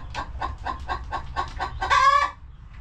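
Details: Hens relaxing in their coop: a steady series of short, soft clucks about four per second, ending in one louder, longer, drawn-out harmonic squawk.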